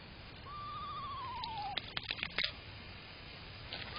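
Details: At a backyard bird puddle on June 11, 2023, a screech owl, one of a pair called adult and fledgling, gives a wavering whinny that slides downward over a second, followed by sharp clicks and splashy rattling.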